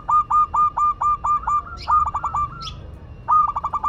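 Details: Local Madura zebra dove in lively song, delivering rapid rolling coos in quick bursts of stuttered notes. Two short faint rustles break in midway before the cooing resumes.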